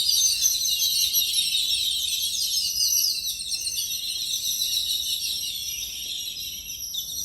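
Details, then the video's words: A flock of Yellow-billed babblers keeps up a dense, unbroken chatter of high, squeaky overlapping chirps with no clear pauses, recorded January 7, 2021 around 8:58 AM. "Sound of flock of Yellow-billed babblers calling"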